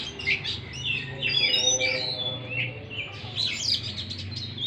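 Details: Song of an Oriental magpie-robin used to stimulate a stressed, silent bird: a busy mix of whistles, chirps and scratchy notes in quick succession over a constant low humming background.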